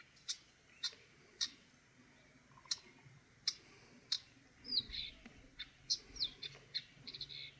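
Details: Eurasian nuthatch: sharp, regular clicks about every half second open the recording, followed by a burst of high, quick chirps and slurred notes near the end.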